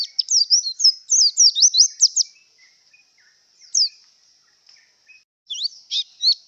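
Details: Breeding-condition white-eye pouring out a fast, thin, very high warble of zigzagging chirps for about two seconds. A lone note follows after a pause, then a final cluster of sharp, rising and falling tweets.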